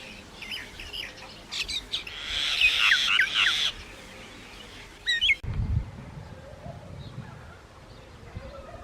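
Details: Myna giving quick sharp chirps that build into a burst of harsh, squawky chatter mixed with whistled notes, followed by a low thud and faint distant calls.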